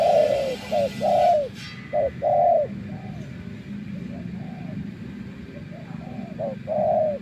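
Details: Tamed decoy spotted dove from bird trapping, back after days in the wild: loud clipped coos and longer falling coos in the first three seconds, then softer distant coos before one more clear pair near the end.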